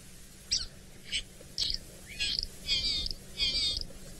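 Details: Lesser striped swallow call near Chitwa Dam, Djuma Game Reserve, 27 August 2017: a series of short, high, nasal squeaky notes, about six in four seconds, the later ones longer and more drawn out.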